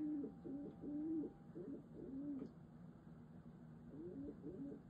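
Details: Female pet pigeon kept indoors, singing while bowing to its owner as an affection display; low throaty coos in short rolling phrases, roughly one per second, with a faint steady tone in the background.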